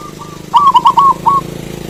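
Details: Local zebra dove, played to stimulate silent or reluctant doves to sing and to lure other doves: a short burst of loud, fluttering, warbled coos near one pitch, preceded by softer distant coos, over low engine hum.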